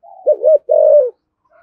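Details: One low 'thổ thúc gù' coo of a spotted dove used to provoke wild doves: a wavering double note followed by a steady, slightly falling held coo.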